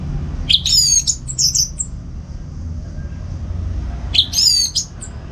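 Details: Caged orange-headed thrush singing in the morning at home in Singaraja, North Bali, used as a master recording to train other songbirds; two bursts of high, squeaky, rapidly modulated notes separated by a pause, low background hum.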